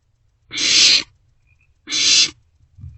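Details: Barn owl young begging at night while sharing prey in a nest box; two long, loud hissing screeches about 1.3 seconds apart, then a soft shuffle.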